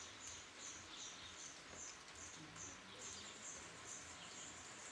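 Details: Black redstart nestlings of a third brood, raised by both parents in a former swallow nest, recorded 21 July 2012; thin high chirps repeated about two or three times a second over steady background hiss.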